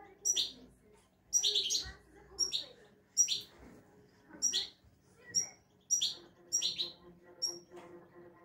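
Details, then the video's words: Owner's European goldfinch singing a clean 'şak şaklı' song: a steady series of sharp, high clipped notes, each with a brief buzzy twitter, repeated roughly every second in a quiet indoor setting. "İyi ötümlü saka kuşu"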